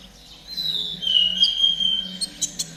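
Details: Konin trotol singing for training caged birds, so they start singing fast: one long, clear, high whistle gliding slowly downward, ending in a few crisp chirps.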